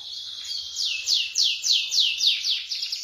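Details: Tutor song from a vigorously singing canary, rolling and high-shooting style: an even string of bright downslurred notes, each sweeping from very high to lower pitch, about three per second.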